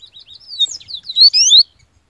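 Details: A Bahian yellow-bellied seedeater singing with great power: soft twittering whistles building into loud, clear, drawn-out rising whistles, then silence.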